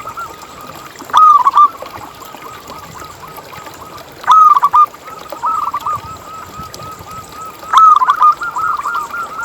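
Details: Zebra dove song used to coax other doves into singing: a steady run of soft, wavering coos broken by three louder phrases spaced about three seconds apart.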